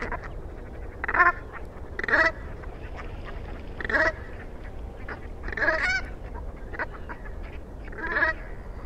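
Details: Brant goose calling with loud, harsh, rolling honks repeated roughly once a second to every two seconds, each a brief grating burst, over a quiet steady hum.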